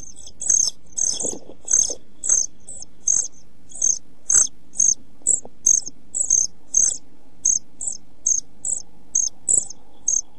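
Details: European pied flycatcher chicks, 11-12 days old, in a nest box filmed by a box camera on 29 June 2013, close to fledging. Short, very high, thin calls repeat in bursts about twice a second, with faint low rustling and thumps below.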